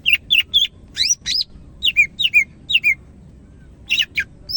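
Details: Greater green leafbird of the Medan type in vigorous song, repeating loud looping whistles that swoop down, interspersed with sharp high chirps.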